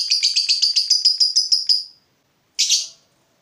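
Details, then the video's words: Provoked fighter lovebird chatters a fast ngekek trill of about a dozen buzzy high notes lasting two seconds, followed after a short pause by a single harsh rasping call. "Lovebird FIGHTER terpancing Panas, nyaut Ngetik lanjut Ngekek Panjang"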